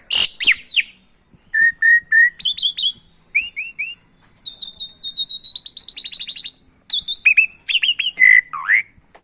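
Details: Javan pied starling song mixed with canary song, a training recording to coax a reluctant starling to sing: short phrases of repeated whistled notes, a fast high trill, and looping downward slurs separated by brief silences.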